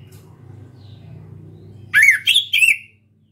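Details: Young orange-headed thrush (anis kembang) practising its song, still shy but starting to sing often: three loud whistled phrases, each rising then gliding, in quick succession after a stretch of low background hum.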